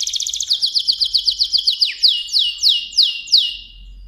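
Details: Mosaic canary song built from fast repeated high chirps that slow into loud downward-sweeping whistled notes, several per second.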